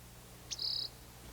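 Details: Rock Wren in the desert of Big Bend National Park, Texas, calling from a hill or boulder: a sharp high tick, then a short, even, buzzy trill of about a third of a second, over a faint low hum.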